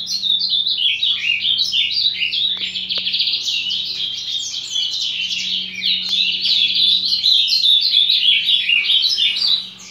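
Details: Ultramarine grosbeak pouring out a sustained, hurried warble of chattering and whistled notes for about nine seconds, with a couple of faint clicks and a soft hum underneath.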